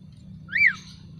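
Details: A single bright whistle from a caged Javan pied starling after its bath and sunning: one short note that swoops up and down, with a soft low hum beneath.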